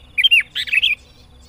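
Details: Sooty-headed bulbul, a recording meant for luring birds into traps: two quick bubbly whistled phrases, warbling up and down, clear and close.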